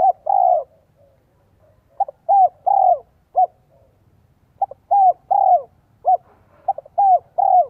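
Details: A spotted dove decoy sings the 'giọng son 1 cốt lỡ' style to quickly provoke wild doves. Phrases come rapidly: clipped single notes and short hooked coos, alternating with longer mellow coos, with no background noise.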